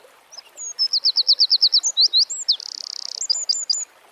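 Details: Eurasian wren singing in the wild, a vigorous, very high-pitched song: thin opening notes, a fast series of about a dozen sharp descending notes, looping whistles, a tight buzzy trill, and three or four short final notes.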